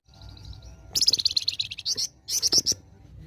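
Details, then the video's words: Flamboyan pours out besetan song: light high ticks, then a rapid tumble of bright, shrill chirps, a brief gap, and a final cluster of piercing notes. "Besetan Burung flamboyan gacor"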